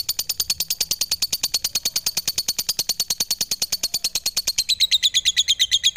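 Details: Rapid lovebird chatter: dozens of high, thin chirps delivered in an unbroken, pulsing rattle, the notes turning slightly lower and more slurred in the last second.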